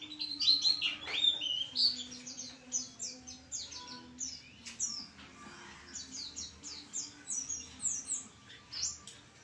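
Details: White-eye singing vigorously: a rapid, continuous stream of high, thin twittering chirps and short sliding notes, louder bursts in the first seconds, then steady chatter over a faint low hum.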